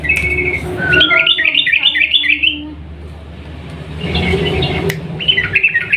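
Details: Sooty-headed bulbul in full 'ropel panjang' long trilling song, used as a lure to make silent birds sing: rapid, even runs of bright, slurred notes, then a pause and another fast run, over a steady low hum.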